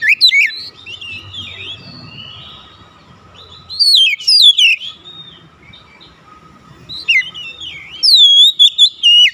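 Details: Oriental magpie-robin calling to other magpie-robins, which answer with vigorous song: loud bursts of sweet whistled, sharply rising and falling notes around 0, 4 and 8 seconds, separated by quieter gaps with a low hum underneath.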